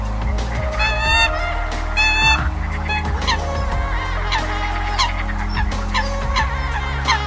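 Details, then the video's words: A Eurasian coot calling its flock gives two loud, nasal honks about a second apart, then scattered shorter notes, over a steady low droning hum, in a recording used as a lure. "tiếng sâm cầm gọi bầy"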